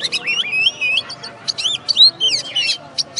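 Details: Caged oriental magpie-robin, a first-place winner at a songbird contest, singing a rapid varied run of whistled slurs, rising and falling sweeps and sharp chips, phrases packed densely with brief pauses, over a faint low hum.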